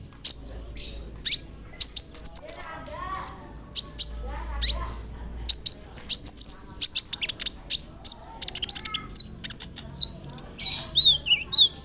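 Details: Sunbird (kolibri ninja) chattering, used as bird-therapy to make others reply: long lively sequence of high chips, short trills and downslurred whistles, with twisting looped notes toward the end over a light low hum.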